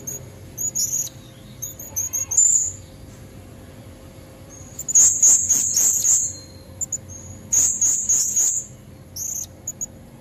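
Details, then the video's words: High, shrill chattering bursts from a female blue-crowned hanging parrot luring males, natural recording; scattered short squeaks at first, then two dense buzzy phrases near the middle and a few trailing notes. "Suara serindit betina buat pancingan jantan leher merah"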